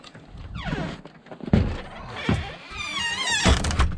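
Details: Indoor thuds and knocks like a door or objects being moved, with music and a wavering voice-like tone toward the end; no animal sound is heard.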